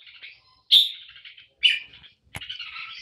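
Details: Red-whiskered bulbul, a bird talked about as a competition singer, giving two sharp, bright chirped notes about a second apart, then a quicker warbling, chattering phrase. The background is otherwise quiet.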